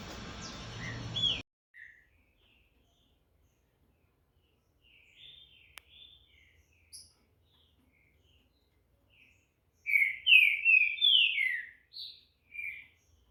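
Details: Captive-bred green-winged saltator: after a brief burst of noise, scattered soft whistles build to a rich warbled phrase of rapid, rising and falling whistled notes lasting about two seconds, followed by a few separate closing notes in otherwise quiet surroundings.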